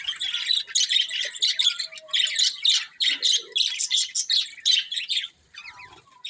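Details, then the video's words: Pet budgerigars chirping in a continuous chattering stream of rapid, scratchy, high warbled notes with brief squawky bursts, pausing near the end, indoors with no other sounds. "Cute Budgies Chirping Sounds"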